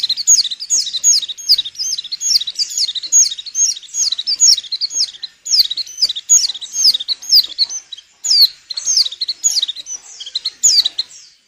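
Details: Female white-eye in breeding condition, used so males sing well for trapping; a continuous fast stream of high, thin twittering notes with barely a pause throughout.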